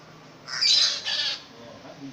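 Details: Long-tailed shrike kept as a cage bird, delivering two quick harsh, scratchy bursts of rough high notes back to back, with faint low background hum.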